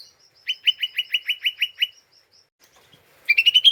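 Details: Lesser green leafbird in an unsettled mood, a lure call to stir up other birds: an evenly spaced run of about nine sharp chips, a short pause, then a fast rising burst of ngeriwik chatter.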